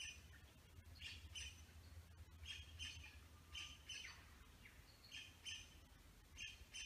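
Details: Satin bowerbird male at his bower alongside females: rasping, squawk-like notes in quick pairs and short runs, separated by brief pauses, with a constant low hum underneath.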